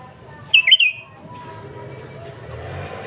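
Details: Sooty-headed bulbul in vigorous song. A single short phrase of three quick, liquid, bouncing notes stands out against soft steady background noise.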